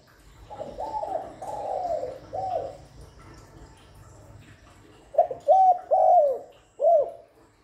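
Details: Spotted dove calling without background noise, a call used to lure doves: soft muffled coos at first, then a loud crisp phrase of three hollow coos with the last drawn out, and one more coo after a pause.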